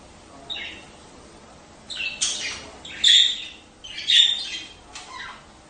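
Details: Budgerigars heard in breeding-stimulation sounds: quiet scratchy notes building to several harsh, buzzy squawks about once a second, some with a short whistled tone inside.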